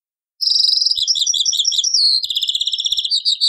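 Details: European goldfinch in taqsrayn-style song from an old cassette: a continuous flow of high, liquid twittering with fast trills and jingling notes, with faint low taps beneath.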